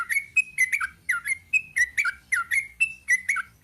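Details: Sooty-headed bulbul singing in the long 'ropel' style, a steady string of liquid, warbled two-part phrases, some rising, some falling, roughly three per second, with a soft low background hum.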